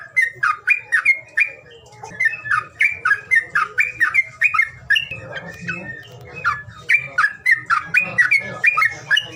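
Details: A bird's calling sound aimed at getting reluctant birds to sing: clusters of sharp, slurred chirps in rapid bursts separated by short pauses, continuing steadily throughout, with a low droning hum.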